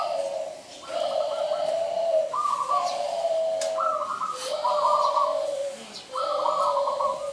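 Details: A local zebra dove in full song, its perched cooing offered as a lure for trapping males: paired trilled coos, a higher rattled note dropping into a longer lower coo, repeated in four bouts.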